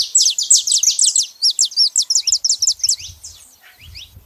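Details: Saffron finch heard in nature, delivering a fast, steady series of high, sharp chipping notes, nearly three per second, that trail off into scattered softer chips.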